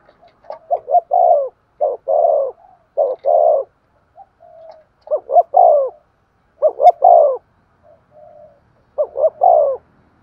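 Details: Spotted dove giving vigorous 'thúc gù' cooing: about five low, hollow phrases in ten seconds, each of two or three short notes ending in a longer falling coo, with soft brief murmurs between phrases against a quiet background.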